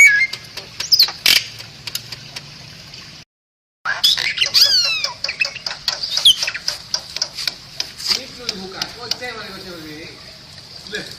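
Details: Bali myna song, played as a training recording for other songbirds: harsh squawks, sharp clicks and short rising and falling whistles, a brief silent break, then lower buzzy chattering notes near the end.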